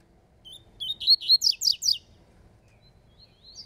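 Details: A double-collared seedeater singing in a contest, giving a quick phrase of about six bright, slurred whistled notes in just over a second, then falling quiet.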